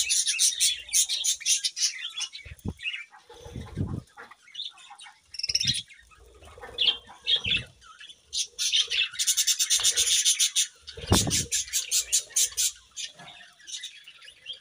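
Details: Budgerigars chirping in the morning: dense high warbling chatter and rapid chirps in bursts, with low thumps and rustles from the cage between calls.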